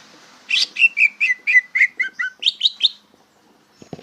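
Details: Greater green leafbird practising its song, bongkaran style: a rapid chain of about a dozen whistled chirps, first dropping in pitch, then jumping higher for three closing notes, with a soft knock at the end.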